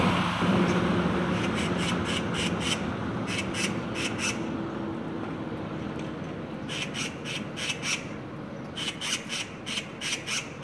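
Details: A group of six Oriental magpies mobbing a lone bird by a street, which refuses to fly off: loud grating chattering in quick rattled series, four bursts separated by brief pauses, with constant low traffic hum and a faint engine tone early on.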